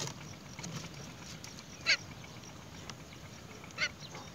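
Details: Great myna at a nest, the mother bringing earthworms to feed her chick; two short, harsh, broadband squawks about two seconds apart over a steady background hiss.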